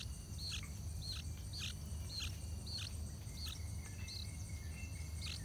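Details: Yellow-vented bulbul at its nest on the day the chicks fledge, parents feeding them: short, high arched chirps about twice a second, over a steady low rumble and faint insect-like hiss.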